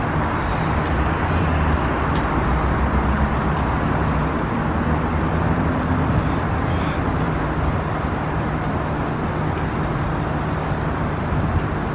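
Steady low road traffic rumble with passing vehicles; no animal calls stand out.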